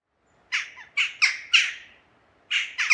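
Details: Jackdaw giving short, harsh, squawky 'chak' calls, about six in three seconds with a pause midway, each a clipped, slightly falling note.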